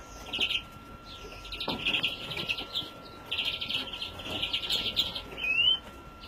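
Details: Young European greenfinch, 2017: short bursts of fast trilled chirping, then a longer twittering run, ending with a clear rising whistled note; a faint steady tone sits underneath.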